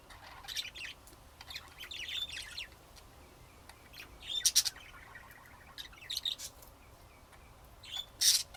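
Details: Budgerigars kept in Texas, USA, giving scattered bright, high chirps and short warbled bursts, several loud sharp notes standing out among softer chatter, with quiet pauses between bouts.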